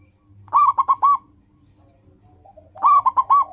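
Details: Two brisk four-note cooing phrases from a loud-voiced local zebra dove, played to train other caged doves to sing quickly, with a faint softer bird call in the gap.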